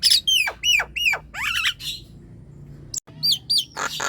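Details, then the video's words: Nias hill myna singing loudly, a recording meant to prompt sluggish birds to sing: several clear whistles sweeping downward in quick succession, a short pause, then more bright whistled notes ending in a rough, noisy burst. "JALAK NIAS DI RUMAH MALAS BUNYI⁉️ COBA PUTARKAN SUARA INI"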